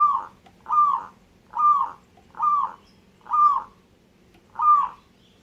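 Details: Local zebra dove singing vigorously: six short, arched, cooing notes near the same pitch, evenly repeated a little under once per second, with quiet low background hum.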